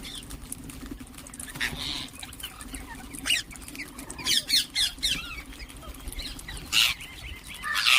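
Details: Ring-necked parakeets calling, a rapid run of four or five loud harsh notes in quick succession, then a scattered chirp and a final loud call, backed by a low steady hum.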